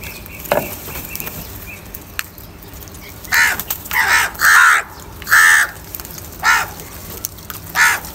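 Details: Crows fighting for food: a run of loud, harsh, drawn-out caws in the second half, coming roughly once a second, after a few faint calls and clicks.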